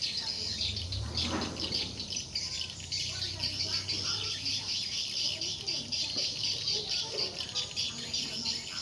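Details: Swiftlets responding at a 5 x 10 m, four-floor swiftlet house running for four months; constant high twittering and rattling chatter from numerous birds, with a brief low thump near the start.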